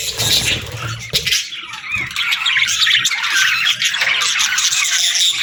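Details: Several parakeets chirp in the morning: loud, dense warbling and squawking chatter, with some wavering whistled notes woven through and a low rumble early on.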